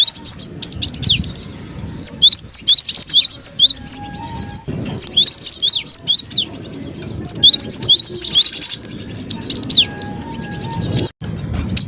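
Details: Noisy cinereous tit lure call for trapping birds: repeated flurries of piercing, fast-sweeping high twitters, roughly two bursts per few seconds, with a steady low murmur and a brief click near the end.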